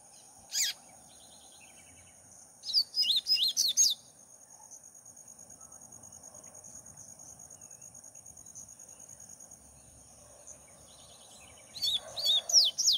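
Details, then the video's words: Double-collared seedeater singing while perched on a person's hand. Short bursts of high, twittering, rapid notes separated by long quiet gaps, over a steady high electronic whine. "papa capim cantando muito na mão"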